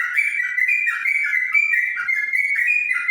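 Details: Yellow-vented bulbul (trucukan) singing in ropel style: a continuous, rapid stream of bright whistled notes with quick up-and-down warbles and no pauses, loud and clear throughout.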